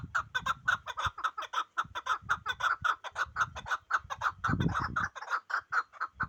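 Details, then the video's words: Pamir chukar partridge calling steadily: repeated throaty chuk notes, roughly two each second, running on for several seconds, with a brief low thump of handling noise midway. "Кабки Помир"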